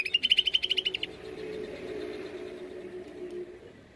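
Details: Greater green leafbird (cucak ijo) singing in the rapid 'nembak' style, used as a lure recording: a one-second burst of about ten sharp, high notes in quick succession, then only a low steady hum and background noise.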